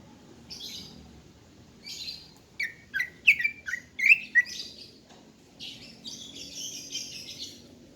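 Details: Female greater green leafbird singing in the morning, used to lure males: bursts of high, scratchy chattering alternate with a run of sharp, bright whistled chirps and slurred notes, repeated rapidly, over a faint low hum.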